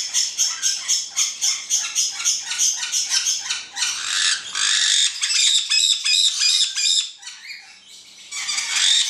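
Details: Black-headed caique pair producing rhythmic raspy calls about three a second, then longer harsh squawks and a few shrill whistled notes.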